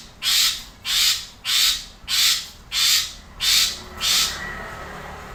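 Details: Asian pied starling (Gracupica contra), song.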